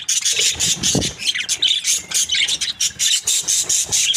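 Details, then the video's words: Happy budgerigar pair at breeding, producing a rapid pulsing series of high, squeaky chirps in quick repeated bursts, loud and continuous. "Happy budgie chirping sounds 🦜| breeding pair"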